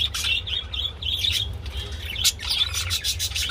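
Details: Mating budgerigars produce bright whistled warbles with rising and falling slides and chirps, plus a brief flutter, over a low hum.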